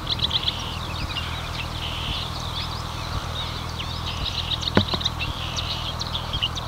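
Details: Marsh warbler in Lippetal, Germany, 3 June 2021 at 10:40, filmed on a Canon EOS R5: a fast, jumbled stream of sharp high notes, trills and buzzy stretches, with a low humming drone and faint ticks beneath.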